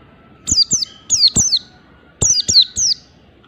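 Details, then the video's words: Mountain white-eye delivering standard ngalas song: loud, crisp downward-sliding whistles in two-note and three-note bursts, with a faint steady hum underneath. "pleci merapi ngalas standar"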